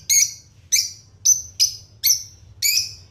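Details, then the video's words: Pet lovebirds, including red-headed, lutino and opaline types, giving six sharp, high, harsh chirps at roughly half-second intervals, each a brief buzzy burst, over a low background hum. "Lovebirds singing & chirping sound"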